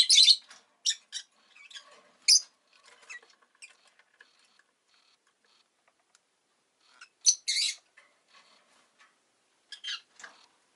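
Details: A captive rosy-faced lovebird (Agapornis roseicollis) gives shrill, high chirps and squeaks in short bursts with quieter twittering between, with city noise such as car, motorbike and bicycle sounds in the background.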